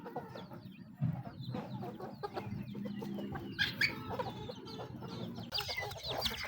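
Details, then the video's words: Feeding chickens give scattered clucks and squeaks. The calls grow busier and higher toward the end, over steady low scratching and pecking sounds. "The sound of chickens eating"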